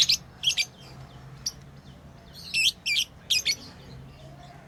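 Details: Lovebirds playing as pets; clipped high chirps in small clusters at the start and a denser run of loud shrill notes near three seconds, over faint low hum.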